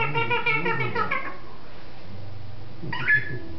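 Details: A pet female African grey parrot, recorded in December 2007, talks: a voice-like phrase of about a second with rising and falling pitch, a pause over low room hum, then a short sharp utterance.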